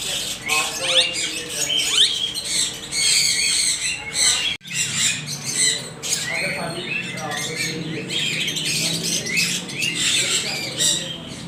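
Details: Noisy parrots in a dense chorus of harsh squawks and screeches, overlapping almost without pause, with one brief break in the middle.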